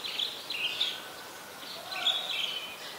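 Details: Chestnut-headed bee-eater, adult, at Ubon Ratchathani, Thailand, on January 23, 2021; short trilled, slurred chirps around high pitch, given in clusters with pauses, against soft background hiss.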